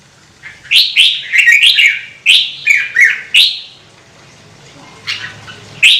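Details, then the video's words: Red-whiskered bulbul singing, used to stimulate other birds to sing: a string of sharp, chirpy whistled notes for three seconds, a quiet gap, then one more note at the end. "CHÀO MÀO | Kích chim nhạy hót - Thúc chim hót hay căng lửa"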